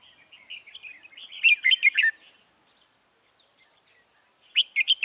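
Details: Red-whiskered bulbul used as a decoy to call in wild birds, Dong Nai, Vietnam, 21 January 2018: a run of chattering notes builds into a loud warbled phrase, pause, then the phrase starts again.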